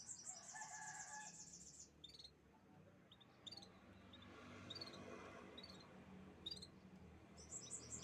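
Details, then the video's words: Canaries chirping: a dense, high, rapidly pulsed trill for about two seconds, then scattered short high twitters separated by pauses, over a low background hum. "the beautiful chirping sounds of canaries"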